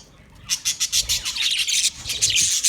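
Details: Budgerigar sounds from 29 February 2024: a quiet moment, then a run of sharp, evenly spaced high chirps giving way to dense, overlapping warbling chatter.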